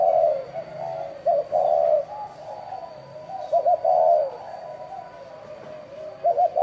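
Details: Cooing spotted dove in bronze-bell style, used as a caller to lure wild doves and rouse both sexes. Continuous low mellow phrases with short double notes and long hollow coos, cycling every few seconds over a faint hum.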